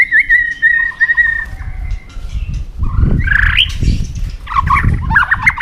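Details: White-rumped shama in competitive singing, flicking its tail: a run of clear whistled notes near the start, then quieter, with bursts of rich warbled phrases over steady low rumbling background noise.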